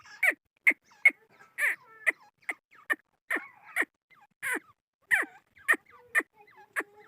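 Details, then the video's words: Series of loud, abrupt clucking notes from a chukar partridge, repeated two or three times a second with slight irregularity, each note punchy and clipped. "Chakor Ki Awaz | Chokor Voice | Chakor Partridge Voice | Chukor Sound | Chukor Ki Awaz"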